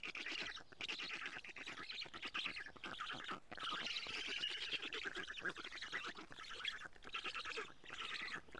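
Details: Black stork storklets at their nest in Estonia on a June morning in 2017, with a parent delivering lampreys; harsh hissing chatter in long bursts broken by short gaps, and a rapid pulsing rattle below.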